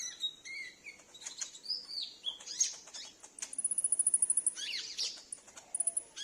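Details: Sunbird kept at home, answering a lure call that is also meant to attract wild sunbirds; thin high twittering notes, then a fast, even high trill of about a dozen clicks, repeated briefly near the end.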